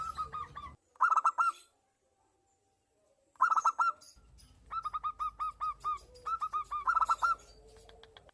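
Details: Local zebra dove, a male in breeding condition answering a female, gives short bursts of four or five rapid, ringing coo notes separated by silences, then an extended rhythmic run of paired staccato coos, with a faint low hum behind.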